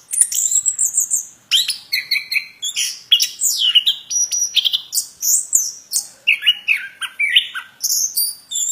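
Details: Plontang bird pouring out a fast, continuous song of high chirps, sharp whistles and descending slurred notes, clear and loud throughout.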